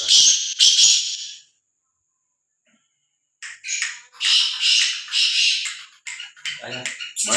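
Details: Pet black francolin (kala teetar) kept at home, described as a lively, spirited bird: loud harsh broadband bursts, one short burst, a pause of about two seconds, then a series of rapid grating notes. Faint speech may be present.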